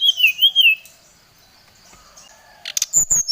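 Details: Agitated Brown-chested jungle flycatcher summoning a rival: wavering, rolling whistled notes for under a second, a lull, then clicks and a run of high ringing whistles.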